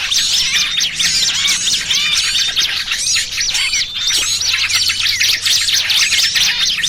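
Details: Crowded calling of small birds, made as a lure to draw birds into traps: rapid high chips, upslurred whistles and squeaky notes tumble over one another continuously, a soft low hum beneath.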